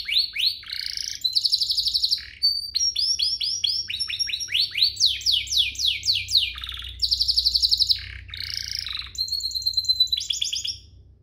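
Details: A domestic canary sings a long, unbroken lure song meant to excite other canaries into singing, with bright, high trills and rapid, repeated chirps shifting through rolling and rising phrases. No other sounds are heard.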